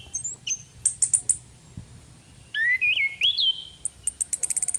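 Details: Female orange-headed thrush, played as a lure: a few high chips, then a slurred whistled phrase rising and falling, ending in a rapid run of sharp high ticks that speeds up.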